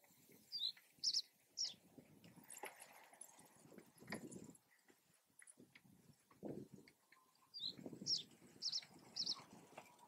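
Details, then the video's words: A male common reed bunting (subspecies schoeniclus) singing in an open wetland in Germany: short phrases of three or four high, clipped notes, repeated after pauses of several seconds, over low rustling and wind thumps. "Reed Bunting ♂singing"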